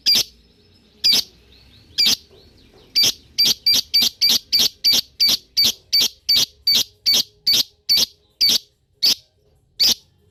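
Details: Lovebird giving a long chatter meant to make other lovebirds answer: a steady run of about twenty sharp, high, clipped chirps, spaced roughly half a second apart and speeding slightly mid-sequence, over a quiet background.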